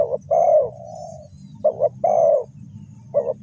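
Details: Spotted dove used to lure birds in trapping, Ninh Thuận: soft short coo followed by a drawn-out falling coo, the pattern repeated twice, over a low rumbling background hum.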